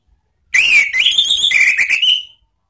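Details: Ngeplong-style Orange-headed thrush song used to lure and train cage birds: a continuous warbled phrase of clear rising and falling whistles lasting about one and a half seconds.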